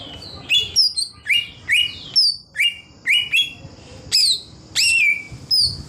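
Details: Wild greater green leafbird singing in the forest: loud, sharp whistled notes sweeping down, some with high squeaky overtones, given in bursts roughly every half second, with a faint steady high tone between phrases.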